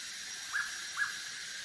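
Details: In Bogor, a Hooded pitta gives two short, clear whistled notes, each rising slightly, about half a second apart, over a steady high hiss of insects.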